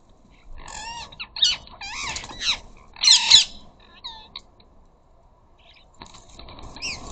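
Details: Ring-necked parakeets visiting a garden bird feeder squawk loudly: a series of harsh, screechy, bending notes in short bursts, then a quiet gap and a final shrill squawk.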